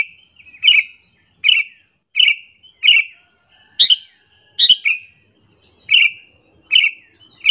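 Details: Harsh chirps from a sooty-headed bulbul, calling to lure other bulbuls and make them angry, repeated about every three quarters of a second in a steady series with faint low clicks behind.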